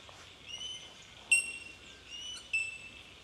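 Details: Bell miners in Victoria, Australia, March 2011: two loud, sharp bell-like pings about a second apart over a constant high ringing background from distant birds of the colony.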